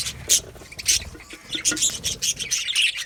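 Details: Aviary budgerigars singing and chirping: sharp, squeaky high calls in short bursts roughly every half second over a steady background of flock chatter.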